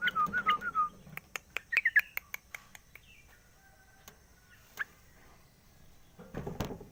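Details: Morning song of a caged sooty-headed bulbul after its cage cover is lifted: a brief warbling phrase of wavering notes, then sharp clicks spaced about every half second and a rustling close.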